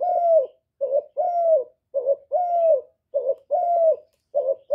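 A spotted dove coos in a steady rhythm: a long, softly arched note alternating with a short, husky one, repeating about once a second against a quiet background.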